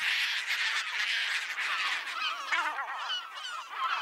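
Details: Caspian terns calling at their nesting colony on Selenga delta islands in Russia: many harsh overlapping cries form a steady wall of sound, with wavering grating calls standing out near the end.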